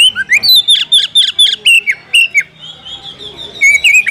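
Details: Oriental magpie-robin calling to draw a rival into a fight: a fast run of loud, shrill, slurred whistles, each note bending down, then a pause and a few more scattered whistled phrases with faint rustling behind.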